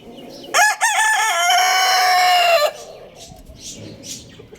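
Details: Rooster giving a loud morning crow: a few quick rising notes, then a long, strained, level note lasting about two seconds before cutting off.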